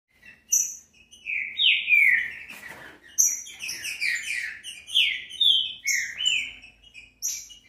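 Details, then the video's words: Green-winged saltator song played to stimulate a captive bird to sing: loud whistled phrases of slurred notes sweeping between about two and four thousand cycles, with bright high overtones, in a series of separate bursts with short pauses. "ESSE CANTO FAZ QUALQUER TRINCA FERRO CANTAR EM MINUTOS CANTO PARA ESQUENTAR FOGUEAR SEU TRINCA FERRO"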